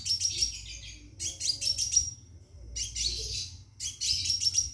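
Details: Scarlet minivet in a cage calling to attract a female for mating, giving four bursts of high, dense, trilled chatter, each under a second long and ending in a thin whistled note, with short silent gaps.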